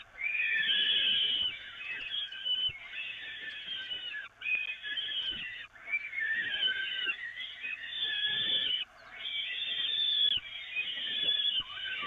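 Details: Peregrine falcons fed on the nest grating at the Evoluon, 13 May 2018: a steady run of harsh, scratchy, wheezing calls in long drawn phrases separated by short breaks, with soft thuds beneath.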